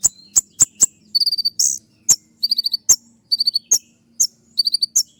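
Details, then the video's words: Van Hasselt's sunbird shooting song from a tutor recording: several sharp ticks, then groups of thin high rapid notes and one harsh buzzy burst, with ticks between groups. "masteran kolibri ninja dengan full suara tembakan"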